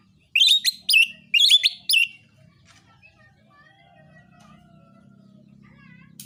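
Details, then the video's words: Oriental magpie-robin giving narung fighting song to provoke rivals. Four loud, rasping phrases come about one every half second, then faint soft whistles trail off over a low background hum. "KICAUAN KACER NARUNG"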